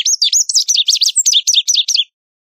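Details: High, ringing Lazuli bunting song: a few sweeping slurred whistles at the start, then a rapid string of sharp chirped notes for about two seconds, ending abruptly.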